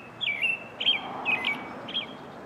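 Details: Morning song of an American robin: four clear, liquid whistled phrases, each a quick slurred up-and-down note, spaced roughly half a second apart against soft background noise.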